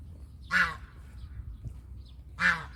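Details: Domestic goose giving two loud, rasping honks about two seconds apart, with quiet low noise between them.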